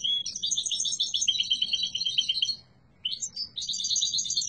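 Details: Yellow mutation European goldfinch singing strongly: rapid twittering phrases of high, buzzy and tinkling notes, a brief pause near the third second, then another fast warbled run.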